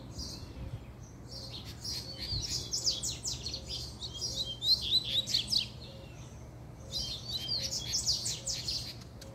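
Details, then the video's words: Puxada song from an excited male double-collared seedeater: three bursts of quick, high, sharp twittering phrases separated by short pauses, over a low steady hum and a faint repeated ticking. "PUXADA DE COLEIRO, ESSE ESTÁ FOGOSO!!!"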